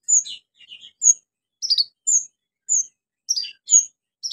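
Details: Vigorous orange-headed thrush song used as a lure to stir silent birds into singing: crisp separate high whistled and chattering notes, roughly two per second, in quiet clean surroundings.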